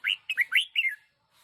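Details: Single bright phrase from a one-year-old decoy red-whiskered bulbul: five fast whistled notes, rising then slurring downward, lasting about one second in a quiet background.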